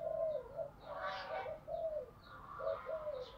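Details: Decoy spotted dove calling to provoke wild birds into fighting: faint, low repeated coos heard through steady background hiss and broadband noise, with a rougher burst in the middle.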